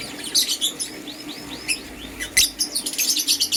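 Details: Morning chirping of green and blue lovebirds: a busy stream of shrill chirps, including a run of rising-then-falling arched whistles, mixed with rapid harsh twittering notes, over a low constant hum.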